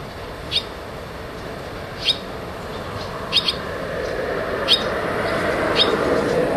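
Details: Nestling barn swallows entering and leaving the nest: about six brief, piercing chirps, one or two at a time with gaps of a second or more, while a broad rushing noise slowly grows louder.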